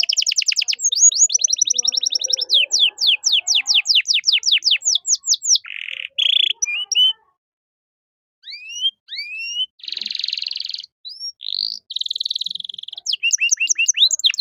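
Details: Canary song meant for tutoring young caged songbirds: rapid high trills, buzzy rattling bursts and short rising whistles, with a brief silent pause midway and a trill returning at the end.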